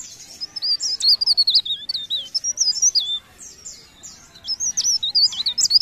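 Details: Leaf warbler in full song, pouring out rapid, squeaky high whistles that wobble up and down, several phrases with brief breaks, accompanied by softer high chirps.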